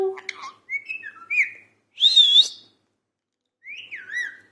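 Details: Pet parrot talking: a few wavering mid-pitched whistles, a loud rasping buzzy note, then a falling whistled phrase after a pause.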